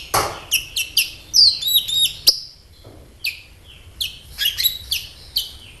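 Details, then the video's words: Sunbird twittering used as a lure: quick series of high, sharp chirps, a buzzy trilled phrase near the start, then spaced bright notes after a brief lull. "SEMUA Burung KOLIBRI CUEK LANGSUNG RESPON DAN GACOR Dengan PANCINGAN INI!KOLIBRI NINJA GACOR"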